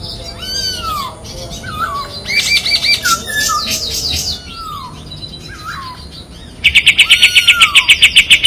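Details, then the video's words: Sharp, piercing kapas tembak white-eye song for training other birds, tight besetan trills: scattered curving whistles and chattering bursts, closing with a loud, very rapid, even series of high chips. "SUARA KAPAS TEMBAK TAJAM DAN PEDAS‼️ SPESIALIS BESETAN RAPET PALING COCOK MASTERAN"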